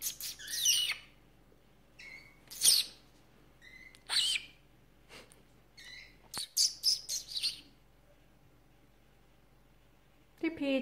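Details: Pet female canary calling back and forth with its owner indoors, February 2018: bursts of high chirps and short whistled notes in irregular groups, ending with a brief harsher squawk.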